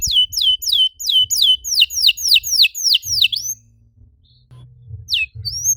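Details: Canary lure song meant to stimulate other canaries: about three seconds of quick, evenly repeated falling whistles with a ringing tail, then a pause and two lone high notes.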